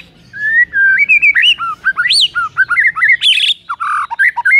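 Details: White-rumped shama in the morning, singing to spur a rival shama: a rich, varied run of whistled slurs rising and falling, with sharp high flourishes and a brief harsh burst, delivered continuously.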